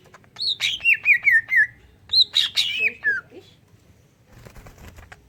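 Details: Song of a greater green leafbird filled with kingfisher-style notes, played to coax other leafbirds into song: two bursts of loud whistled notes, each stepping downward in a slurred chain, then quiet.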